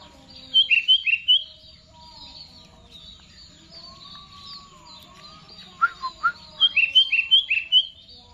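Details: Sooty-headed bulbul (kutilang) singing full "Garuda": an opening rapid string of bright slurred notes, a pause with a soft low whistle, then two clear rising notes and a longer lively series of repeated chirping phrases.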